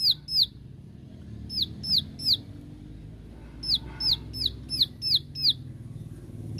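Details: Bar-winged prinia giving its "tembakan" (shooting) song to call out rivals: sharp, high, downslurred whistled notes, first in pairs and triplets, then a run of about seven evenly spaced notes roughly every third of a second, over low background rumble.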